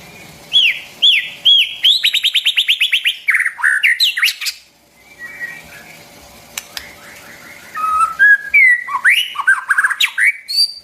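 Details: White-rumped shama singing, meant for training young birds' voices: three looping whistles, then a fast rattled series of about fifteen notes, a quiet gap, then varied fluty phrases and rising slurs.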